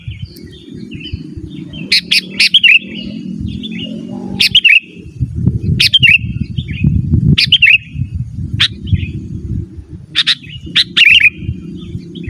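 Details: Sooty-headed bulbul song used to call wild birds and to train caged birds; scattered bursts of sharp chirps each ending in a short wavering warble, separated by pauses over steady low background rumble.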